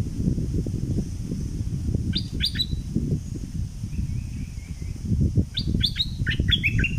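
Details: Bulbul from southern Thailand singing in the double style: two bursts of sharp, quick falling notes, one near the start and one near the end, over a steady low rumble of background noise.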